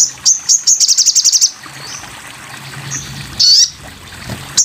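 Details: Sogon bird in a masteran (tutor) recording: spaced high notes running into a rapid buzzy trill, then a quiet stretch broken by one loud, sharp high call.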